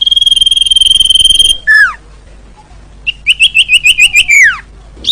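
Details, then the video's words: Sirtu, a wild bird, recorded as a trapping lure: a long steady whistled tone, a quick falling slur, then about eight rapid upslurred notes ending in a long descending whistle. "Suara Burung Sirtu Juara Cocok Buat Masteran Dan Pancingan Paling Ampuh"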